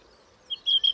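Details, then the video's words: Song thrush (Turdus philomelos) singing a short burst of three clear, high whistled notes in quick succession, the middle one drawn out, over a faint background hiss. "Vogelstimmen: Die Singdrossel - Song thrush"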